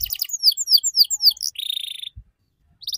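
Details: Canary lure song for training young birds in ngeriwik: quick scattered high chirps and downslurs, then a dense buzzy trill, a brief pause, and the trill starting again.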